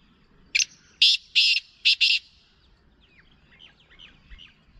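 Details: Harsh, rasping call of a black francolin, five loud scratchy notes in a quick, uneven rhythm lasting under two seconds, followed by faint high chirps of other small birds.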